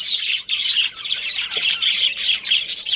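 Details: Budgie breeding pair at home, chirping in loud, harsh chattering bursts about every half second, buzzy and squeaky.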